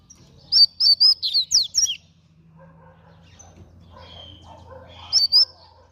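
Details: Fast song of a double-collared seedeater: about seven loud, clear, high whistled notes in rapid series, a pause with soft background chirping, then a brief trio of sharp notes.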